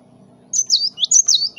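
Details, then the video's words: High ringing whistles from an actively singing cinereous tit, used to provoke rival birds to sing: paired down-slurred and upswept notes in a brisk phrase, with faint low background hum. "Pancingan Suara GELATIK BATU GACOR Ampuh Pancing Bunyi LAWAN‼️"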